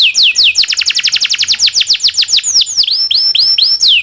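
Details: Domestic canary singing a long rolling master song used to train other canaries: rapid trills of steep descending sweeps, then slower upswept whistled notes with bright overtones, all high-pitched and continuous.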